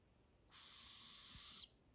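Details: One juvenile barred owl of a group calling back and forth in southern Oregon, Pacific Northwest. A single steady, raspy, hissing screech lasts over a second and ends sharply, with a quiet background before and after.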